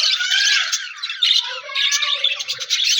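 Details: Budgie chirping alongside a new budgie friend, January 4, 2026: loud scratchy warbled phrases with brief whistled slides, pausing briefly around one second and again near two and a half seconds before resuming.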